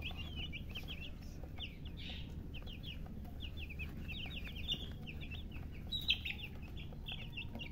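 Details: Colored domestic chicks chirping. Many high, quick, downward-sliding peeps overlap in dense bursts, over a steady low hum and background noise.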